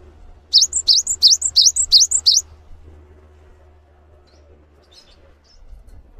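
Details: Five quick, rising whistled phrases from a cinereous tit (gelatik batu) spill out over two seconds, followed by quiet with a faint, steady low hum.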